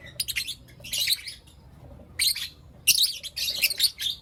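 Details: Morning chirping from pet Blue Opaline and Lutino Opaline lovebirds, given as scattered clusters of shrill, scratchy notes with quiet pauses of about a second between bursts.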